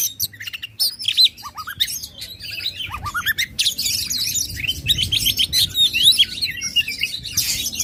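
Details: Oriental magpie-robin pouring out loud varied song to stir rival contest birds: rising and falling slurred whistles, upward sweeps, then a dense tumble of chirps and squeaky trills that builds in the second half.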